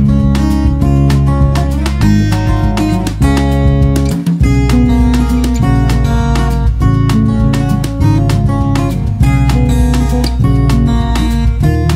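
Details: Strummed acoustic guitar plays steady chords throughout, with no animal voice to be heard.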